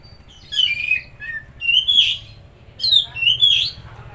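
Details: Oriental magpie-robin phrases used to provoke a quiet or stressed bird into song: sliding whistles and short downward slurs in two groups, over a soft low rumble.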